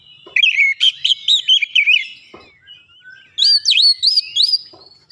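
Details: Provoked by a lure recording, an Oriental magpie-robin sings emotionally and insistently, unloading fill-in phrases: a fast wavering warble, a short pause, then bright swooping whistled notes in quick succession.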